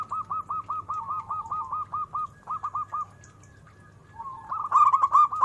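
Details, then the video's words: Zebra dove song: a fast stuttering run of short, clipped mid-pitched notes, about seven per second, breaking off, then resuming louder and more rolling at the end. "Suara burung perkutut"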